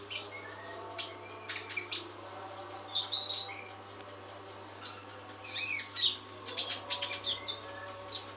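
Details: Trotol, a kept songbird fed nectar, singing energetically: rapid high chirps and clicking notes in dense bursts, brief lulls between, steady low hum beneath.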